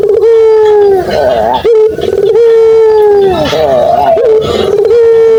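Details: Ringneck dove (puter) used as a master call to prompt quiet doves to respond: sustained level coo with rich overtones, broken by wavering, warbled stretches, then resuming steadily.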